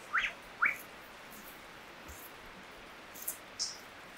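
A lyrebird gives two quick rising chirps, then a few faint, very high whistled notes after a pause, over a steady soft hiss.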